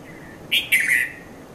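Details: Konda Kurulla, the red-vented bulbul, at Mount Lavinia, Sri Lanka, in early morning between 5:30 and 5:40; a brief two-part chirping call, the second part longer and gently falling, after a faint quiet note.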